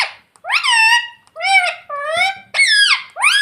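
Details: Talking pet ringneck parrot saying "Mummy Papa": a rapid string of five shrill, speech-like syllables, each bending in pitch, delivered almost without pause in a quiet room.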